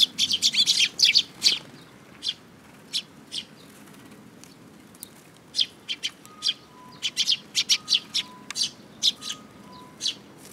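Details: Young sparrows at a Tenmangu shrine on 5 June 2022, one imitating: a burst of rapid sharp chirps, then spaced single chirps, with short steady pure tones alternating between two pitches in the background.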